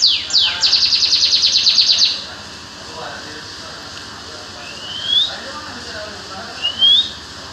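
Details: Songbird gives two quick downward swept notes, then a rapid, even, buzzy trill lasting about a second and a half, then pauses before two separate rising whistled sweeps, over a faint steady hiss.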